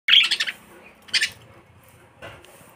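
Lovebird giving a burst of shrill, rapid chirps, then a second short squeaky burst and a softer chirp about two seconds in.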